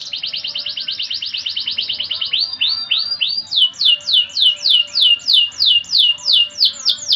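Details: A 'gacor' canary in 'cengkok mewah' (luxurious melodic) style begins with a rapid rattling trill, shifts to a few rising slurs, then settles into evenly repeated high falling whistles.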